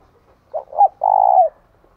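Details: Decoy cooing of a spotted dove, bích bổi style, for luring doves: two short soft coos lead into a long, even, vibrating note that slurs downward as it fades.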